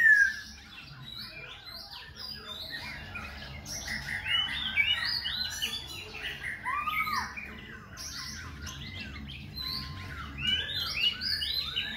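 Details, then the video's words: Continuous varied singing from a Khe Sanh laughingthrush that keeps changing its voice while dancing. Overlapping whistles, chirps and downslurred notes form a dense, jumbled medley with a few clearer ringing whistles. "Khướu Khe Sanh hót múa đảo giọng liên tục"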